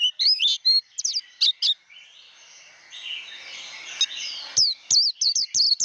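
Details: Japanese white-eye song in the líu đấu style for training wild-caught birds: bursts of quick high chirps at start and end, separated by roughly three seconds of a softer, washy high-pitched rustle.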